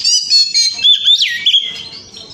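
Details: Oriental magpie-robin singing, played as a lure to prompt other birds: a brief run of clear whistled notes sliding down, then a sustained wavering whistle that fades.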